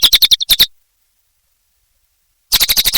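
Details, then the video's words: Cililin bird in energetic song (gacor): two short bursts of quick, high chattering notes, several notes each, separated by nearly two seconds of silence. "Suara Burung Cililin Gacor Durasi Panjang"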